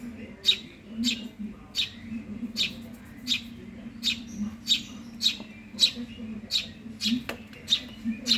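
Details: A hungry Eurasian tree sparrow nestling calls persistently for food, giving high, piercing chirps in a rapid, slightly uneven series, with a faint low hum beneath.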